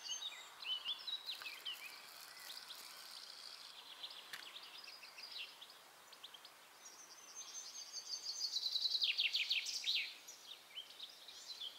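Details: European goldfinch singing at La Croix-Tasset, Côtes d'Armor, Brittany, France, on 13 June 2012: high tinkling twitters and trills, with a louder rapid liquid burst near the end.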